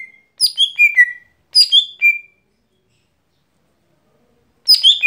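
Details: Lesser green leafbird (gotri) daily song: two quick descending whistled phrases, then a long quiet pause before another high burst begins at the end.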